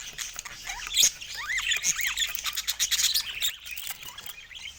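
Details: Budgies in the morning: a busy flock chatter of high squawks, quick rising and falling warbled notes and chirps overlapping continuously, with many birds calling at once.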